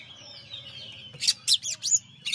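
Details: Champion Oriental magpie-robin in a master recording: a short burst of sharp, high chirps and quick trilled notes after a faint thin whistle, with a low hum underneath.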